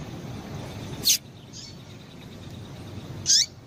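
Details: Female double-collared seedeater calling to stimulate males: two short, high chirps with quick falling tails, about two seconds apart, over steady low background hiss.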